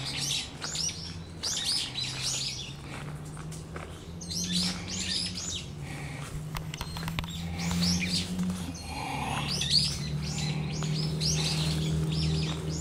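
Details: Brown-eared bulbul giving raptor warning calls on 14 November 2013: bursts of sharp, high chirps come in quick irregular clusters throughout, over a steady low hum of background noise.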